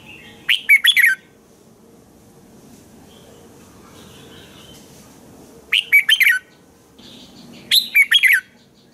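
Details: Red-whiskered bulbul in morning song for training other bulbuls: three loud, quick warbled whistled phrases, each under a second, separated by pauses, over soft background hum and faint distant chirps.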